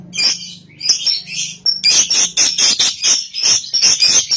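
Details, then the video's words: Cobalt lovebird, a young paud bird, giving harsh high squawks and chattering bursts in a loose rhythm, roughly three per second, with a faint low hum underneath. "PANCINGAN LOVEBIRD PAUD COBALT | AGAR RAJIN NGEKEK"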